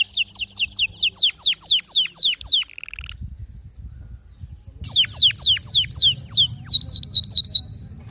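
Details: Canary song with distinctive notes, meant to prompt a silent canary to sing: fast runs of high, downward-sliding whistled notes, about five a second, a short buzzy trill, a pause with low background rumble, then another run ending on a held note.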